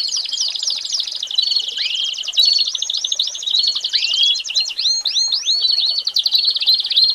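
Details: Continuous American Singer canary song mixing high rattling trills with bursts of rising, hooked whistles repeated in quick series.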